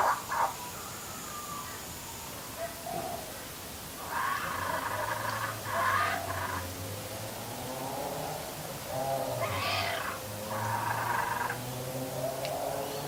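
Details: A hungry young Laughing Kookaburra (Dacelo novaeguineae) sits on a clothes hoist, begging for food with harsh, gurgling bursts in short runs over a low steady hum.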